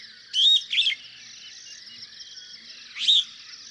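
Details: Superb starling, a common bird in Kenya: short bright chirpy notes at high pitch, two quick phrases then a pause and another squeaky phrase, over a steady band of insect-like background hiss.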